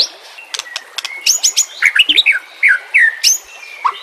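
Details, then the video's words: White-rumped shama (murai batu) song on a training recording for reluctant singers, set with nature sounds: quick run of sharp high chips, then bright whistled notes and descending slurred phrases, some thin buzzy strokes, soft background hiss. "Terapi Murai Malas Bunyi Dengan Pancingan Mewah Isian Terbaik"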